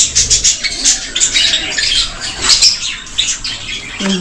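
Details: Several cockatiels in a park in Malda, India, giving harsh, scratchy squawks and chatter in quick overlapping bursts, with a man's voice speaking briefly near the end.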